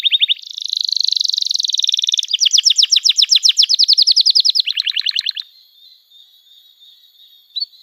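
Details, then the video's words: Long, varied canary song for training young canaries: dense, rolling buzzy trills shift to a clipped chip trill and then a lower, faster roll, before falling quiet apart from a faint steady tone. "Kenari Gacor Panjang Cuit Cuit Emosi, Pancingan Kenari Paud Belajar Bunyi"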